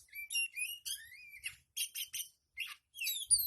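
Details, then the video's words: Oriental magpie-robin in tail-spreading display, singing a rich, varied run of high whistles, slurred rising notes and scratchy chatter in short bursts, with a low thump at the end. "Terapi Kacer buka ekor"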